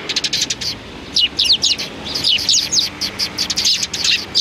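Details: Sparrows chirping on 29 May 2019: dense clusters of sharp, high chirps, tumbling over one another in uneven bursts with short gaps, several birds calling at once.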